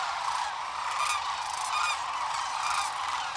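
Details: Big flock of sandhill cranes rising at dawn-time liftoff by the Platte River, Rowe Sanctuary, Nebraska: constant overlapping guttural rattles and bugles, individual calls surfacing roughly every second within the mass.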